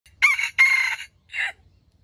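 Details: Red junglefowl crow used as bait to lure wild chickens into traps: two harsh, raspy, sustained notes followed by a shorter falling note, all within two seconds, over a quiet background.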